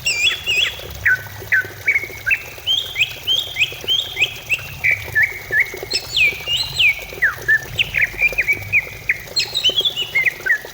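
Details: Greater green leafbird singing as a lure to trigger song and relieve stress: a rapid, varied medley of stepwise falling whistles broken by high, sharp sweeps, almost without pause.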